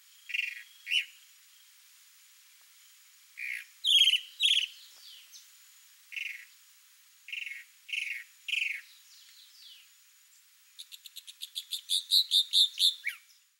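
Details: Male chalk-browed mockingbird showing off to a female with a varied song: scattered buzzy and whistled notes, some falling slurs, ending with a long fast trill of about twenty rapid pulsed notes that swells then stops.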